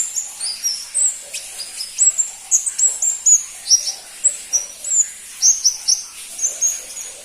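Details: Crimson-breasted flowerpecker, locally pentis pelangi, a rarely kept songbird: steady, high-pitched tinkling of sharp, downward-flicked notes mixed with brief thin whistles, delivered in a lively, uneven rhythm throughout.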